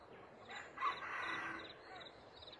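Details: A wild male red junglefowl crowing from a tree near a trap gives a faint, hoarse crow, one drawn-out rasping phrase of about a second and a half, over soft outdoor background noise.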